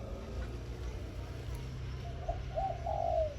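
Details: Morning song of a captive decoy zebra dove in 'khan yon' style: after a quiet start, soft rolling coos build into two longer, fuller notes that slide gently downward at the end, over a low hum.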